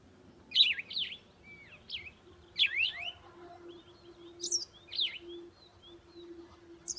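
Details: Pet zebra finch family with a baby bird, heard as high, sharp, nasal chirps in small clusters every second or two, with soft lower notes and a faint background hum.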